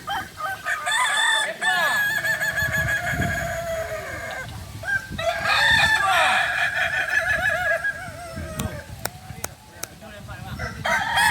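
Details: At a training meet for Kokok Balenggek cocks, a breed native to Solok, West Sumatra, Indonesia, long crows run almost without pause. They are built of many quick rising-and-falling syllables, with other birds' crowing layered underneath and a few sharp clicks late on.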